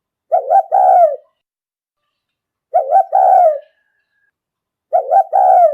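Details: Spotted dove used as a decoy, calling to lure wild doves: three low, mellow cooing phrases, each a short double coo followed by a longer, drawn-out falling coo, spaced about two seconds apart in a quiet setting.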